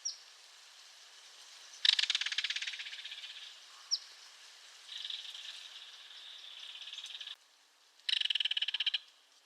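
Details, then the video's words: Belted kingfisher giving three harsh, dry rattling calls, each a rapid run of clicking pulses lasting one to two seconds, separated by short pauses, with a couple of brief sharp notes between them. "Belted Kingfisher Call"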